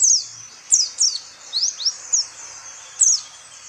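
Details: Small yellowish Oriental white-eye from open woodland in tropical Asia, giving sparse high, thin, sharply slurred notes, singly or in quick pairs, against a quiet background.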